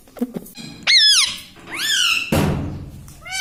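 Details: Talking pet parrot indoors, known for copying words like "mummy": two loud, rising-then-falling harmonic cries, a burst of broadband noise, and a final upward sweep, with soft knocks at the start.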